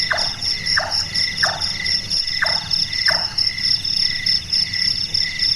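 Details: Five wooden, percussive chonks from a large-tailed nightjar, the carpenter-like call of this nocturnal bird, spaced under a second apart with a brief gap, set against a dense background of crickets trilling at night.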